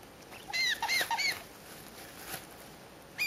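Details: At night in a home brooder, young caiques scream to be fed: a few short, arched, squeaky calls in a quick burst, then quiet, then one more faint squeak.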